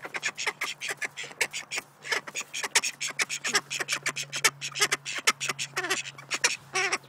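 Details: A pair of Snowy Call ducks give loud, harsh, rapid quacks in quick overlapping bursts, almost nonstop, over a faint steady electrical hum.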